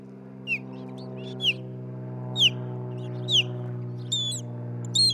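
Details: Nesting osprey pair filmed by a nest camera in Charlo, Montana, in June: high, piercing, downslurred whistled chirps repeated roughly every second, ending in a couple of brighter, longer notes, with a droning low hum behind.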